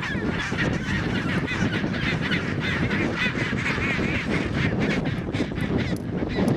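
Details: Antarctic chinstrap penguins during mating, a sustained run of rapid, rhythmic braying honks with wavering pitch, many birds overlapping, over heavy low wind rumble.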